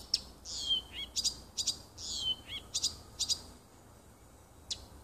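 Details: Woodland nightingale song recorded 30 June 2015 near a home: slurred descending whistles alternating with clusters of sharp clicks, phrases spaced irregularly over quiet background.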